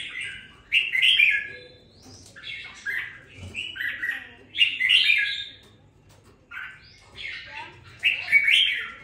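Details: Red-whiskered bulbul kept in a cage for two weeks after purchase, now finding its voice, gives rich warbled phrases about every three to four seconds, each a burst of fluty rising and falling notes, in a quiet room.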